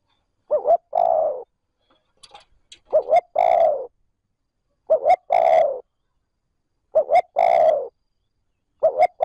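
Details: Spotted dove giving trơn ròng lure calls to excite wild doves: repeated phrases of two short rising hoots and one drawn-out descending coo, about every two seconds, with faint scratchy noises in one gap.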